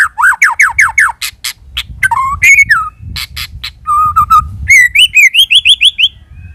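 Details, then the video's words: Lure song of a white-rumped shama: repeated down-slurred whistles, sharp clicks, a held steady whistle, then rising whistled notes repeated quickly in a rhythmic run. "Pikat Suara Burung Murai Batu"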